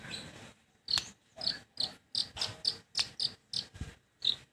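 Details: Long-tailed shrike song: a rapid series of about eleven short, sharp, high-pitched chattering notes, some with a rasping click, spaced roughly three per second after a brief soft opening, with no other clear sounds.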